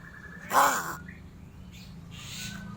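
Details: Crow giving a single short, harsh, hoarse caw, with faint background noise afterward.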